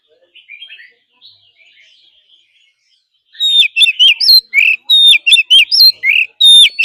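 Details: Oriental magpie-robin giving forest-style song for daily training of kept birds: a few faint, soft warbled notes at first, then an abrupt loud, fast sequence of sharp chips, rising and falling whistles and clicks repeated rapidly.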